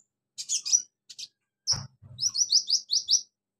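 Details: Bulbul song with imitations of crickets and chicks: a few high buzzy chirps, then a quick run of six bright, slurred whistled notes repeated evenly, with a soft low thump in between.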